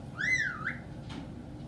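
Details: Singing, laughing, swearing and dancing pet caique parrot gives a single clear whistle that rises, falls and lifts again at the end, followed by a soft click, indoors with low background hum.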